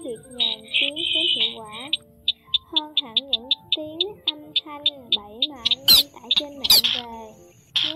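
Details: Slaty-breasted rail lure recording for night net-trapping of migrating birds, with chick calls mixed in: sharp, high ticking notes about five per second, lower wavering squawky calls, and two loud harsh bursts near the end.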